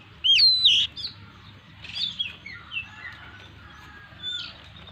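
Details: Owned Oriental magpie-robin, 'gacor full isian' singer: one loud, rich whistled phrase that rises and bends, followed by softer scattered chirps and a brief whistle near the end.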